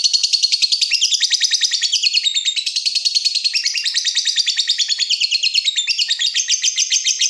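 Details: Unbroken, rapid chattering from a lovebird in breeding mood provoking a rival: dense, high, squeaky notes run together at several per second, shifting slightly in pitch throughout.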